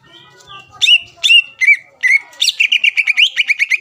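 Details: Greater green leafbird song used to provoke rival birds into answering: after a quiet start, loud whistled notes with sharp upward flicks, then a fast run of short repeated chirps about four per second.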